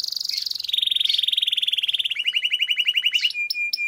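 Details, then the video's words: Canary singing gacor with long rolls, for training other birds: a continuous fast trill that steps downward in pitch, turning into a lower pulsing rattle, ending with brief clear whistles. "Suara Burung Kenari Gacor Ngerol Panjang Untuk Pancingan Kenari Agar Jadi Juara"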